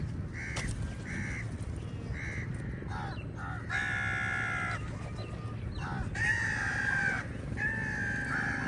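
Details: Many crows fighting with eagles over food. Harsh, harmonic caws are repeated and overlap, some short and some drawn out. A steady low rumbling background noise runs throughout.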